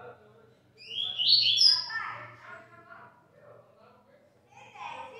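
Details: A captive double-collared seedeater, recorded at 17:15 in the afternoon, sings a bright, rapid burst of high twittering notes lasting about a second, then softer phrases, while a man's voice is faintly heard.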